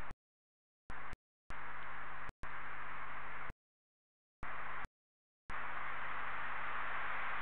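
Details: Bursts of steady hiss broken by stretches of total silence, with no calls heard.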